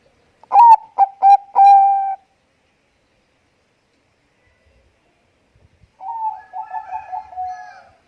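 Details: Bangkok-type zebra dove in full song, used to coax other birds into singing: a loud phrase of a rising opening coo, two short clipped notes and a long level coo, then a softer, faster rippling phrase after a pause.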